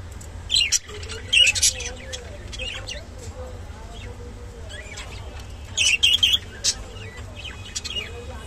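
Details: Rainbow budgerigar uttering brief raspy chirps and squawks in scattered bursts, with a faint low voice-like murmur running underneath and a constant low hum.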